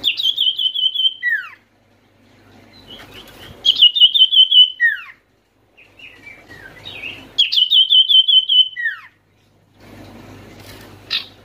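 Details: Lure call of an Oriental white-eye, used to make reluctant white-eyes start singing: fast high trilled phrases, each ending in a sharp downward slur, repeated about every three seconds with softer twitters between.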